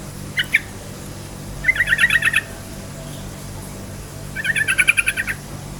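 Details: Yellow-vented bulbul in energetic, rapid 'ropel' song, used as a lure to provoke other bulbuls to sing: a single note, then two bursts of quick bubbly notes, each about eight fast chirps, separated by a quiet pause.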